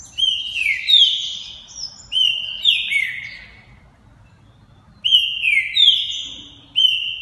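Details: Champion male Green-winged Saltator, a proven breeder, singing loud, clear whistled phrases of bright slurred rising-and-falling notes in three bursts with short pauses.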